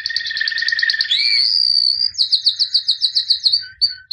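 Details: Champion white canary of 2017, albino, singing a pulsed trill that glides upward into a sustained whistle, then switches to a quick run of sharp repeated high notes.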